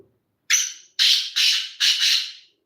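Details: Black francolin giving its call, a loud series of harsh, rasping bursts: a first note with a thin whistled edge, then three or four grating, broadband phrases in quick succession, with a quiet background.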